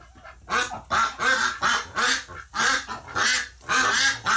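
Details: Ducks in a flock become agitated after one of their members died in the hospital, recorded November 30, 2018: loud, harsh, nasal quacks, about eight in four seconds, each a short rasping burst, repeated in a steady run.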